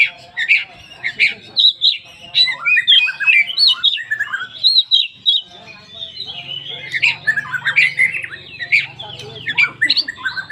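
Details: Oriental magpie-robin of the kacer poci type singing a full-isian lure song meant to prompt other magpie-robins to sing. A continuous stream of varied whistled, chattering and trilled phrases fills the clip, with short pauses and a faint low hum underneath.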